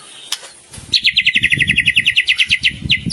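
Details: White-rumped shama singing with a rich repertoire: a bright, evenly paced trill of doubled notes held at one pitch for about two seconds over low rumbling background noise.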